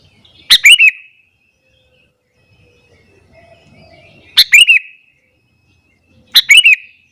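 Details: Sooty-headed bulbul singing loudly in the morning to provoke other bulbuls: three sharp, bright phrases, each a quick burst of two or three clear notes, spaced about two to four seconds apart over near silence.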